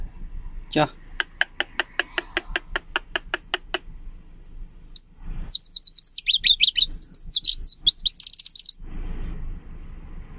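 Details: Leaf warbler song compared to a gurgling stream, clear and sweet: a run of evenly spaced dry clicks, then a quick, high, tumbling twitter of sharp notes lasting about three seconds, with faint background noise.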